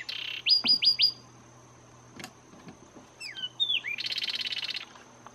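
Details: Zapata wren (Ferminia cerverai), endangered endemic, singing in Zapata Swamp National Park, Cuba: four quick, sharp downslurred notes, then a few liquid slurred whistles and a fast buzzy trill, over a steady high insect hum.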